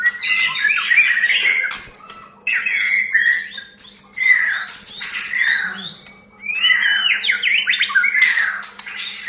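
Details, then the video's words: White-rumped shama lure song played to stir a bird into singing: dense, varied phrases of harsh, chattering notes and quick slurred whistles in bursts, with a constant low hum throughout. "Pancingan murai batu agar gacor"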